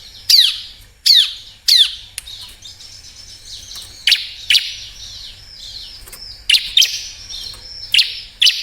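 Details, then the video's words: Bar-winged prinia singing, played to coax lazy birds into song: three sharp, high, down-slurred notes open, followed by spaced bursts of thin, buzzy chirps over a quiet background. "Suara burung Ciblek Cocok Buat Pancingan yang males bunyi"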